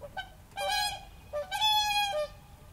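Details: Whooper swan in Tartu county, Estonia, on 13 April 2013, giving two loud, trumpeting, nasal bugles, each held about half a second, with a few softer honks before them.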